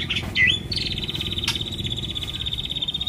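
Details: White-rumped shama giving a song meant to prompt other birds to sing: a few short whistled notes, then a long, steady, fast trill on one high pitch, with a low rumbling background.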